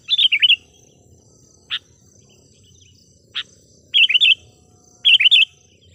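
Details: Sooty-headed bulbul singing as a lure for wild birds: short twisting chirped phrases of three or four notes, spaced about a second apart, with isolated sharp clicks between them.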